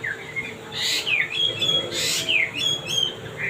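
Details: Male wambi singing actively in a sweet voice: short clear whistled notes and downslurs around high pitch, interspersed with brief buzzy bursts, in a quick varied sequence with steady background hum.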